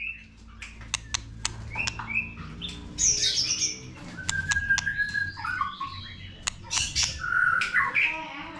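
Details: White-rumped shama song, recorded to stimulate a young shama to sing: a busy, varied run of sharp clicks, short whistles and buzzy bursts with a long level whistle midway, over a low background hum.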